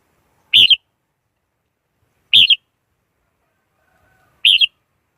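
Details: Three crisp, rolling whistled phrases of a red-whiskered bulbul, each a quick bright burst with a double lilt, spaced roughly two seconds apart in quiet surroundings.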